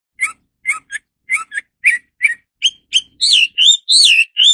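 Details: Hwamei starts with paired short notes repeated at regular intervals. It then shifts into louder, longer, swooping whistles.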